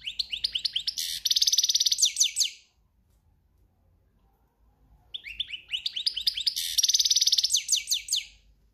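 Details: European goldfinch in breeding season delivers two cante campero phrases of about two and a half seconds, each made of quick tinkling notes and a harsh buzzy trill, with a silent interval between them.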